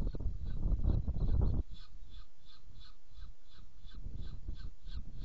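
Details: Saker falcon in Hungary, 7 May 2017, during feeding: a rapid series of short, harsh, evenly spaced notes, about four per second, throughout. A loud low rumble of wind or handling noise fills the first second and a half.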